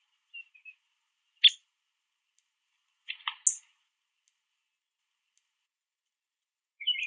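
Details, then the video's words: Male Downy Woodpecker at a backyard platform feeder eating sunflower seeds, making quick trips back and forth, gives quiet chirping: a few sharp, high, clipped pik notes spaced by one- to three-second silent gaps. "A Downy Woodpecker Male Chirping Sound"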